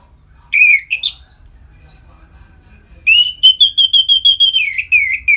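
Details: Anis merah, the orange-headed thrush, in ngeplong song used to bring other birds into breeding condition: two whistled, slurred notes, a long pause, then a fast trill of repeated chirps sliding slightly downward.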